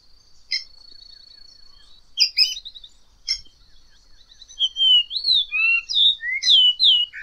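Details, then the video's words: Variable oriole (Icterus pyrrhopterus) song: a few sharp chips, then a run of clear whistled notes sliding up and down, with a faint steady high insect-like hum behind. "Canto do Encontro Icterus Pyrrhopterus"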